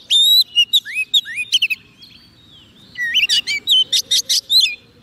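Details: White-rumped shama, fed soft food and eager to sing, used to call wild birds: long pure whistles and falling slurs, a quieter pause, then a burst of rapid scratchy chirps and whistles.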